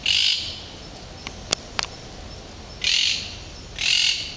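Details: A woodpecker at Mar de las Pampas, Argentina, where migrating woodpeckers arrive in late February and pick at garbage, gives three harsh, raspy squawks about half a second long, spaced irregularly, with faint sharp clicks between.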